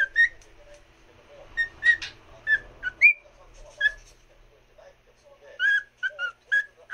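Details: Pet cockatiel singing to another cockatiel: a lively run of short, clear whistled notes, some sliding upward, grouped in quick clusters with a brief lull midway and a faint low background rumble.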